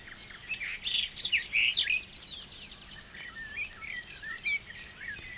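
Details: Barred Warbler singing in the water-meadows and coastal pastures of Matsalu, from a 1979 Soviet field-recording LP. Scratchy, chattering bursts of rapid notes come first, then softer warbled fragments. Steady background hiss runs throughout.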